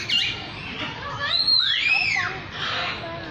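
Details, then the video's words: Lyrebird giving loud, ringing whistled sweeps that arch up and down in overlapping pairs, high-pitched and pure, followed by softer rushing sounds. "Amazing! Bird Sounds From The Lyre Bird"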